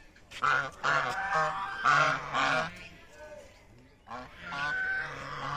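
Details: Greylag geese walking in a field in Bangladesh give loud, nasal honks in quick bursts of two or three, about two calls a second, with short pauses between bursts.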